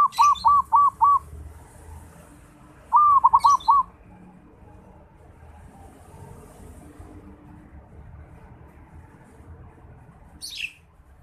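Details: Local Bali zebra dove, or perkutut, learning to sing: two brief phrases of four or five quick, rounded cooing notes about three seconds apart, then quiet background with a high chirp near the end.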